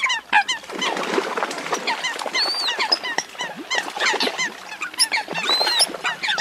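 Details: A Eurasian coot lure recording used for night net-trapping of migrating birds, August 2024: a dense, overlapping chorus of short, nasal, bright notes, some rising and some falling, crowding together with hardly a pause.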